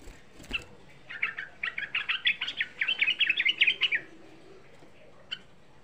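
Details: Sooty-headed bulbul song of a young bird, played to stir other bulbuls into calling. Isolated chirps lead into a sustained, tight roll of quick bubbly notes lasting about three seconds, then one final chirp.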